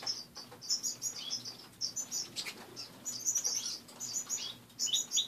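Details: Pet finches in an indoor cage in the morning give scattered high chirps and short twittered runs, with soft wing flutters and a low hum in the room.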